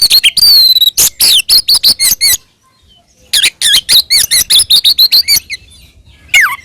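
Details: Oriental magpie-robin fighting song used to provoke other magpie-robins: quick series of sharp, high whistled notes with harsh overtones, one long burst, a pause, then another run ending in a falling slur.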